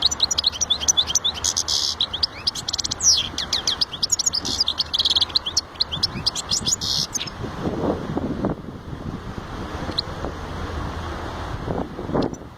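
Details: European goldfinch delivering a lively, tumbling twitter of high chirps and trills for about seven seconds, then falling quiet while soft low rustling and background noise continue.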